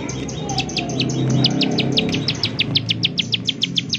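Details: Bar-winged prinia call in 'nembak' style, played as a lure to make prinias sing; sharp high ticking notes start faint under low rumbling noise and become clear and evenly spaced in the second half.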